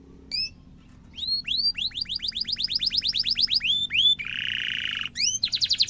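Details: Canary song used for training young and adult canaries: a single note, then a long run of repeated rising whistles, a buzzy rattling roll and another fast series of rising notes, with faint low background hum.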